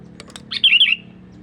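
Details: Sooty-headed bulbul call used as a lure for wild birds: a few faint clicks, then a bright, slurred, chattering phrase lasting about half a second over a low background hum.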